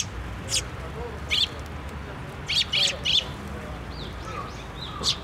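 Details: Sparrows gathering at a feeder on a post at a Tenmangu shrine on 24 June 2023 utter clipped chirps, some in quick pairs, with fainter sliding notes near the end.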